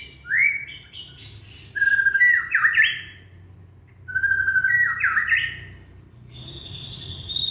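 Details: Song of a young white-rumped shama from Indonesia, used to coax silent shamas into singing: a clear rising whistle, then two phrases of whistled notes breaking into jerky, stepped clusters, with pauses between.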